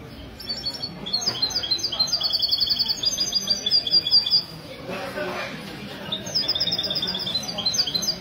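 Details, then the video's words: European goldfinch at a singing competition in a café, Ksar El Kebir, 16 February 2020, Sunday morning; bursts of high twittering and buzzy trills, a pause, then more twitters, with people talking faintly. "تغريد الميستو من جمعية لكوس للحسون الدهبي"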